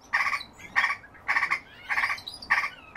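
A song thrush repeats one harsh, rattling phrase about every half second, five or six times over. Faint background hiss.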